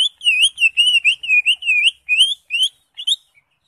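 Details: Greater green leafbird singing a rapid string of bright, wavering whistled notes, about two to three per second, loud and clean, fading out with a few short chips at the end.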